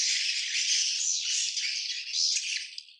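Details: Swiftlet colony in a steady, thick, high-pitched rattling chatter from many birds, fading slightly toward the end.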